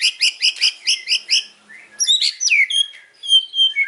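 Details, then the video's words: Afternoon song of a white-rumped shama with hard, loud phrases: a run of about eight evenly spaced chirped notes, then a brief pause and bright descending whistles with high thin tones. "KICAUAN MURAI BATU SORE HARI BONGKAR ISIAN KERAS"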